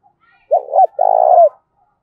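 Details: Spotted dove in giọng thổ pha voice, calling to provoke a fight: a single clear phrase, two quick low coos and one long, rolling, vibrating coo.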